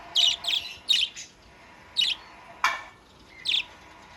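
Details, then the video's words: Budgerigar in full, lively song: a quick run of three sharp high chirps, then single bright chirps spaced about a second apart, with a brief harsher note near the end. "Burung Parkit Sudah Mulai Gacor!!!"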